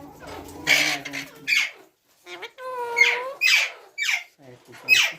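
A ringneck parakeet gives harsh, raspy bursts and a few tonal, speech-like phrases, about a second apart, in a small indoor room.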